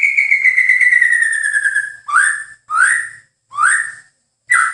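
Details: White-rumped shama delivering a long, slowly falling whistle followed by four short, rich upslurred fluty notes separated by brief silences.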